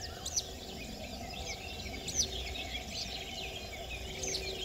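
A citrine wagtail gives brief, high, sharp chirps about every two seconds over steady low background noise.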